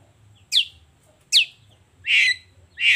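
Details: Long-tailed shrike in the morning, in a lively 'gacor' session showing off its repertoire: four sharp, high chirps, two short downward-sweeping notes followed by two broader, harsher bursts, spaced under a second apart. A faint low hum underneath.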